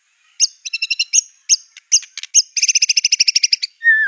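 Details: White-rumped shama in fierce song with borrowed canary, cililin, cungkok and lovebird phrases: bursts of high ringing chips, then a long, even machine-gun run of paired notes, closing with a lower downward whistle.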